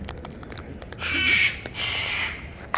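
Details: A wild cockatoo being fed seed gives two loud, harsh, raspy screeches, each about half a second long, one right after the other, and is scolded for screaming instead of coming down to eat.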